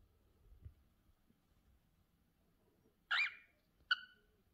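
A cockatiel gives two calls after a quiet start: a harsh, buzzy squawk, then a shorter, clearer chirp with bright overtones. Faint room murmur underneath.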